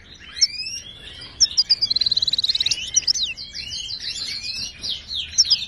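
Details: Moroccan European goldfinch song for teaching caged birds: sharp high notes, then a rapid rattling trill near the middle, followed by tumbling twitters and downslurred whistles.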